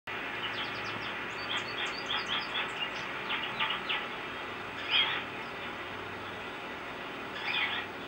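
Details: Male goldfinch singing while perched on a shepherd's hook: rapid series of high twittering, warbled notes with short buzzy phrases, bursts spread across the clip over steady background hum like distant traffic.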